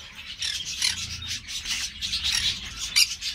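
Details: Green-cheeked parakeet kept by an amateur breeder, giving continuous harsh, scratchy chatter with bursts of rasping squawks that swell and fade, louder sharp squawk near the end.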